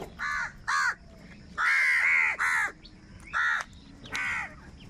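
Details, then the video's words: Crows fighting for food, angry and very loud: harsh, hoarse caws in quick bursts, several overlapping, some drawn out and grating, others short, about seven calls in five seconds. "Angry kauwa ki awaaz | Very loud voice of crow sound | Crow bird Fight for Food"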